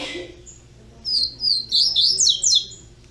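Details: A young caged double-collared seedeater sings a fast series of high, wavering whistled notes after a brief human voice at the start.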